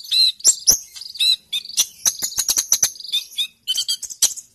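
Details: Sunbird singing energetically and ready to fight, recorded as tutor song for other birds: rapid, very high-pitched chattering, a run of quick sharp ticks in the middle, then more shrill twittered phrases.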